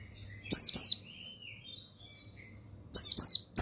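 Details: Song of a male mountain white-eye, used to coax other caged males into singing. Two bright, high descending twittering bursts open and close the stretch, while a thin, softer whistle drifts between them.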